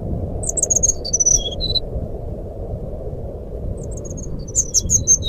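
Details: Brown-chested jungle flycatcher in fluting (nyuling) song, used as a lure for silent birds: a quick run of very high, thin whistled notes stepping downward, a pause, then another run, over a steady low rumbling background noise.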